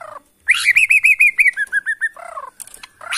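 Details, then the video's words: A white-rumped shama of Bornean stock from the Kalimantan forest gives a rapid run of bright slurred whistles, repeated several times a second, dropping to lower notes, then bursts of harsh chatter. "AKSI murai batu BORNEO ori Hutan KALIMANTAN"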